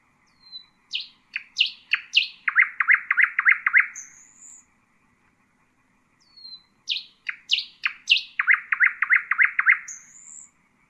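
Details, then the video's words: Two matching nightingale phrases about six seconds apart, Husseini style for teaching chicks, each with sweeping notes, a fast trill of loud pulses and a closing high whistle. "أفضل تغريد للعندليب الحسينة لتعليم الفراخ"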